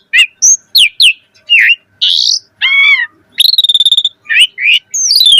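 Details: Energetic Asian pied starling song with rich content, a lure to get starlings singing: spaced whistled slurs, a harsh buzzy note, a rapid trill of pulses, and falling whistles.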